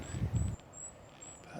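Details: Goldcrests, at least four or five, in conifers at Mt Edgcumbe Country Park on a windy, misty morning: faint, very high, thin calls repeated throughout, with a low murmur of a voice at the start and a sharp click at the end.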